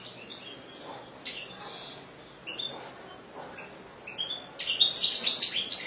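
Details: A kept European goldfinch gives fast, high, jangling twitters. A thin drawn-out whistle runs in the middle, and a denser, louder burst of liquid chirps closes the passage.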